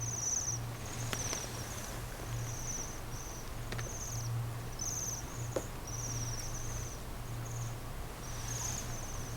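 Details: Bohemian waxwings calling from snowy Senjogahara, Okunikko, Japan: a steady series of very high, thin, buzzy trills, several overlapping, over a low steady hum and a few clicks.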